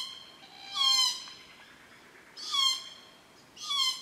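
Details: Glossy black cockatoos at a feeding ground on a property at Cootharaba, where they feed on Casuarinas around 4.30pm between June and September; three drawn-out, harsh, rasping calls with rich overtones, roughly every one and a half seconds.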